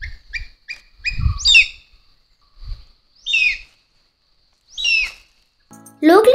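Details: A Rufous-bellied Eagle in the up country of Sri Lanka gives high, squealing, downslurred notes about every two seconds. A narrator talks at the start and music comes in at the end.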